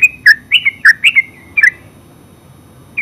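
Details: Brief ngeropel burst from a yellow-vented bulbul (terucuk): five or six loud gurgling notes in under two seconds, followed by silence and one final chirp.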